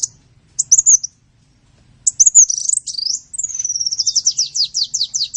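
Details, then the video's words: Sunbird song for songbird training: a short sharp phrase, a pause, then a longer run of twittering that turns into a steady, fast, rhythmic trill of high descending chips. "Masteran burung Kolibri"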